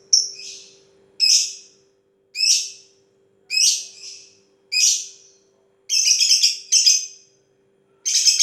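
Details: Lovebird delivering long 'ngetik' ticking chatter: sharp high chirps in short bursts about once a second, some bursts buzzier and rattled toward the end, with a faint steady hum underneath.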